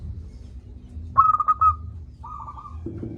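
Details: Loud local zebra dove, played to stir lazy doves into calling: a rapid, rippling phrase of five coos, then a softer even-pitched coo and a short low sound at the end, over a quiet rumble.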